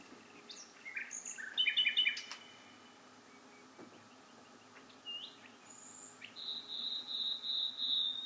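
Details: Night-time bird song with varied phrases: short chirps and buzzy notes, a brief pause, then a high clear whistle followed by a sustained, rapidly pulsed trill; faint steady background hiss.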